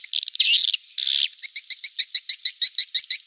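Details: Swiftlet lure calls: a burst of buzzy, high chattering, then quick, bright chirps repeated about three times a second in a steady run.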